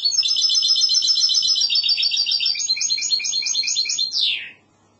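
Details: Goldfinch hybrid in the classic Andalusian style delivering a long rapid trill of high repeated notes, shifting pattern midway and ending in one falling sweep.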